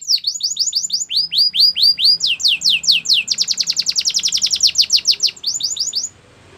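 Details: Canary song for training: steady falling whistled notes repeated about three per second, quickening into a dense roll of slurred syllables, then a few slower sweeps before the song stops and quiet follows.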